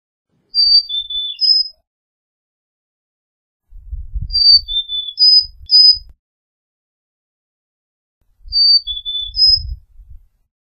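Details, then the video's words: Carolina chickadee singing clear, high, thin whistled phrases of about four notes alternating higher and lower, repeated three times with pauses of a couple of seconds, faint low thumps beneath. "Carolina Chickadee Song! Carolina Chickadee Call!"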